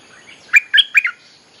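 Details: Short lure phrase of a bulbul for calling wild birds: three or four rapid, liquid, chortling notes in just over half a second, clear and loud against a quiet background.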